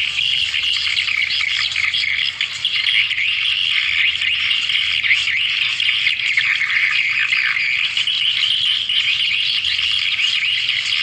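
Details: Swiftlet lure sound used to call swiftlets so they gather: a dense, unbroken chorus of high, rapid chirps and twitters, many overlapping, holding steady at a constant loudness for the whole stretch with no pauses.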